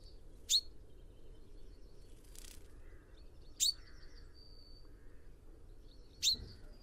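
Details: Common chaffinch, Fringilla coelebs, a small sedentary finch: three sharp, bright single notes spaced about three seconds apart, each a quick downward flick, over a faint hiss with distant thin whistles from other birds.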